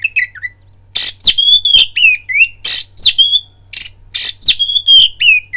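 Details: Lure song of an oriental magpie-robin for provoking fighting: harsh grating bursts alternating regularly with bright downslurred whistles, roughly four phrases a second, over a low steady hum.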